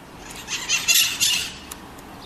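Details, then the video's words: A Scaly-headed parrot (maritaca, Pionus) gives a run of harsh, raspy screeches, several quick bursts over about a second, high and grating, then quiet. "Maritaca Cantando"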